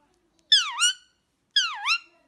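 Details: A pet Indian ringneck parakeet, almost 5 years old, talking in Russian, says two quick, nasal words a second apart, each dipping then rising, like a high-pitched voice saying 'mama'. Nothing else is heard.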